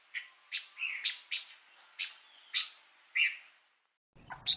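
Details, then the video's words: Energetic pancawarna bird song: separate high chirps spaced about half a second apart, some slurred downward, ending after a short pause with two sharp, piercing notes. "Kicau Burung Pancawarna Gacor Suara Kontras"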